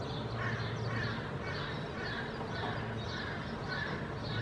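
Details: Hooded crow fledgling in Helsinki, Finland, in June 2022, exploring a rock and dry twigs on the ground. Harsh, raspy caws repeat about twice a second over a steady low traffic rumble and faint high chirping.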